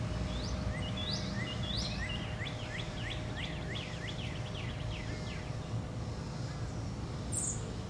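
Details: Agitated male American robin, father of three eggs in a nearby nest, just after chasing a blue jay through an American Holly tree, Alexandria, Virginia, July 10, 2019; rapid series of sharp, high, downslurred notes over a low steady rumble, then quiet.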